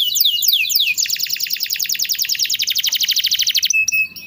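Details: Canary song offered as a master recording to coax stalled canaries into singing: a few falling whistles, then a long, fast, even trill lasting almost three seconds, ending in brief high notes.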